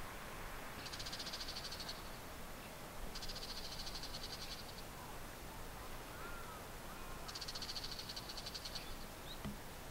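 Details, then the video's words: Territorial dispute between two male Bull-headed Shrikes perched on a TV antenna and a treetop, Japan, early July 2014: three bursts of fast, harsh, high-pitched chattering, each about a second long, spaced a few seconds apart. "Bull-headed Shrikes in Territorial Dispute モズ♂（野鳥）の鳴き交わし♪"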